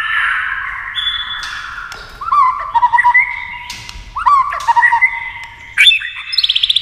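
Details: Captive white-rumped shama singing against a TV with tail flicking: sweet sliding whistles and clear phrases, then rapid trilled notes near the end.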